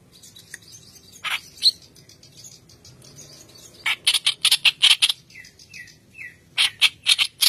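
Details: White-browed reed warbler singing vigorously, used as a lure to train young birds: scattered harsh, buzzy notes, then a fast run of loud chattering bursts, a few short thin whistles, and a final burst of rasping notes.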